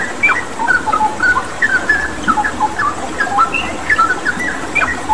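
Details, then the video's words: Straw-headed bulbul singing in gacor style, meant as training song, with background water sound: loud, bubbly whistled notes in short rolling phrases, pitch jumping up and down, over a steady watery rush. "Masteran Cucak Rawa Gacor dengan Terapi Air"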